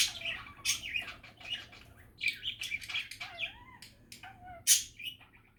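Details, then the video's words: Budgerigar chatter, happy and relaxing: scratchy warbles mixed with a few clear, slurred whistles and sharp chirps, plus a short flutter of wings. "Happy and relaxing budgie chatter"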